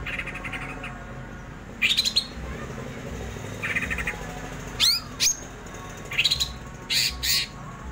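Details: Greater green leafbird giving scattered phrases of its 'ngerol' song: rising slurred whistles, a couple of sharp upward sweeps and short chattering bursts, separated by pauses.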